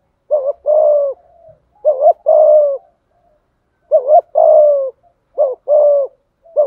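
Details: Spotted dove cooing a full song in the 'giọng thổ' voice ('thúc gù'): about four mellow phrases, each a quick bent double note running into a long, gently falling hoot, with a pause midway and a clean background.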